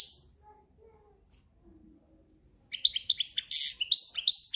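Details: European goldfinch singing in breeding season, countryside style; near silence for nearly three seconds, then a sudden rush of twittering, jingling high notes with buzzy trills.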